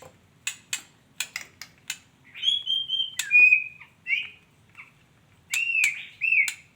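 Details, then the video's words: Female white-rumped shama: several sharp dry clicks, then clear whistled notes held level, then short scratchy phrases and a pair of slurred whistles near the end, with gaps between. "suara burung muray batu betina"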